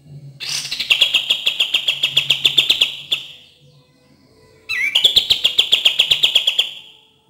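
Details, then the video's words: Cream-vented bulbul song meant to coax quiet birds into singing: two long, bright, rattling trills of rapidly repeated high notes, each lasting about two seconds, separated by a short pause, over a faint low hum. "PANCINGAN DAN TERAPI KAPAS TEMBAK KURANG GACOR DAN MALAS BUNYI"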